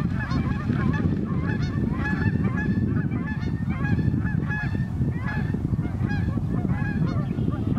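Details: A dense chorus of many geese honking and yelping together on a very cold North Idaho morning on the Pend O'Reille River. Overlapping nasal, upslurred calls run without pause above a deep, continuous roar of water.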